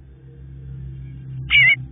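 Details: Bluebird babies waiting for their parents; after a stretch of low humming, one brief, loud, wavering rasp closes the recording.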